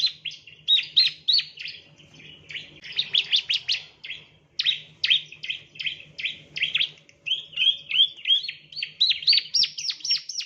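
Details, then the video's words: Ciblek, the bar-winged prinia, chirping as a training lure: a long continuous stream of rapid, buzzy and whistled chirps, varied in pitch and rhythm, climbing higher toward the end, over a faint low electrical hum. "the chirping of ciblek birds"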